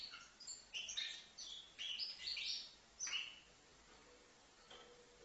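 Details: Young five-month-old goldfinch from Livno heard somewhat faintly, giving a few scattered sharp chirps and short twittering notes that fade toward the end.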